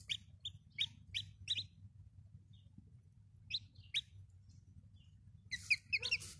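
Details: Chicks of the domestic chicken peep in a quick series of high, falling notes, fall silent for about two seconds, then resume with scattered peeps and a brief louder cluster at the end.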